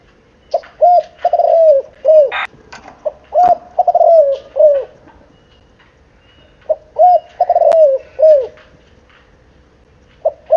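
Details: Spotted dove aged seven months cooing at length: two long sequences of quick low arched coos, several in each, separated by a quiet gap, with faint chirps and clicks around them.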